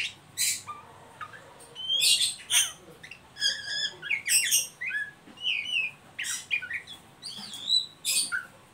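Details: Ngeriwik calling of an Oriental magpie-robin, played to stimulate young birds into song: lively alternating sharp chips, short whistled slurs and quick chattering trills, delivered in uneven bursts with little pause over steady low background noise.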